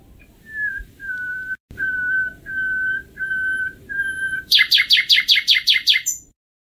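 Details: Common nightingale song: five long, pure, level whistles on one pitch, each held about half a second, followed by a fast stuttering series of sharp, high repeated notes.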